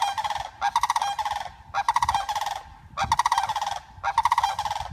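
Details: Female sandhill crane reunited with flock mates after 114 days of rehabilitation for a broken wing gives loud, rolling, rattled bugles in four roughly one-second bursts with brief pauses between.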